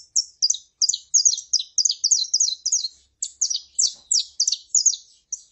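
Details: Saffron finch, a male singing and a female calling: dense run of high, sharp chirped notes repeated rapidly, several per second, in a continuous bright stream with no other sounds.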